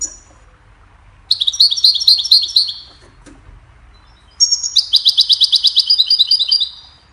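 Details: Goldfinch hybrid singing to train songbirds: two long runs of quick, high, tinkling twitters, each note repeated about twice a second or faster, separated by a short silent gap with a faint click.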